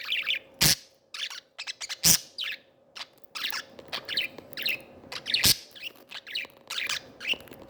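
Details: Three small pet budgerigars playing and interacting with their owner, giving bright, scratchy chirps and short warbled notes in uneven bursts, mixed with sharp clicking taps and a faint steady indoor hum.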